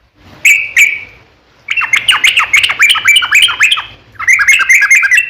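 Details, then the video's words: Vigorous long-run song of a yellow-vented bulbul, played as a lure so other bulbuls answer. Two short buzzy notes open, then a dense stream of quick, bubbly, rolling notes, pausing briefly before another burst. "SUARA trucukan gacor ROPEL PANJANG pancingan trucukan agar bunyi JADIKAN burung trucuk gacor NYAUT"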